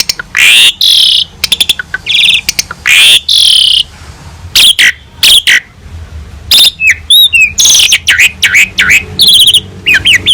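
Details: Energetic Asian pied starling song, a master recording for training other birds: long harsh, scratchy bursts alternate with sharp clicks, wavering whistles and fast trilled notes across about ten seconds.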